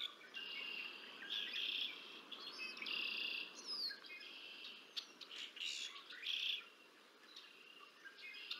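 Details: Nest-camera footage of a bald eagle feeding two chicks at Decorah North, 30 March 2024; dense bouts of shrill, twittering chirps follow one another with little pause, interrupted by a quick high downward whistle.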